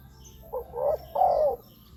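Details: Spotted dove, recorded for listening or for luring wild doves to decoys on the ground, on branches or at trap cages, giving two low, mellow coos, the second longer and louder, over a quiet background.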